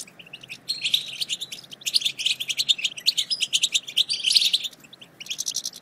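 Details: High, fast European goldfinch chatter, called batbata, intended to encourage silent goldfinches to sing: long stretches of rapid sparkling chips and trills, with a brief pause before a final short burst.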